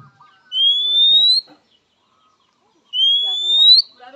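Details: Rival-summoning call of an Oriental magpie-robin, said to get quick replies from males and females; two long, steady whistles that rise slightly at the end, separated by a pause, with faint background rustles.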